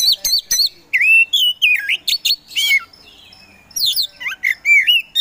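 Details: Provoking song of a kacer poci Oriental magpie-robin: rapid chips and looping whistled slurs in a busy burst, a short pause, then more curling whistles and scratchy notes.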